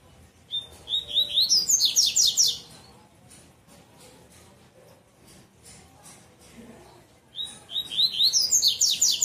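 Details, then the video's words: Double-collared seedeater bitola song: a run of rising whistles accelerating into a dense high trill, then clicking and shuffling noises, before the song resumes at the end. "Coleiro Tui Tui Bitola"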